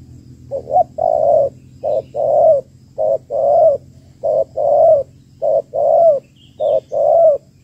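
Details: Female spotted dove calling to stir up males, used for lure trapping: steady series of deep, hollow two-part coos, a short note followed by a longer rounded one, repeating roughly every second over a low hum.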